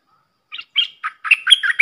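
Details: Red-whiskered bulbul, a tame decoy bird, singing for young birds to copy and to lure wild birds; a short burst of quick, warbled, slurred phrases after half a second of silence, with no other sounds.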